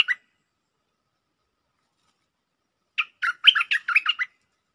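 A bulbul gives one brief note, then after a pause a quick run of about seven bubbly, chirping notes in a mid-high pitch. Nothing else is heard.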